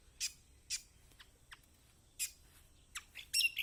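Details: Lemon-bellied white-eye (kecial kombok) recording used as a lure to get silent birds singing: scattered sharp high chirps, a few louder bursts and a quick chattering run at the end.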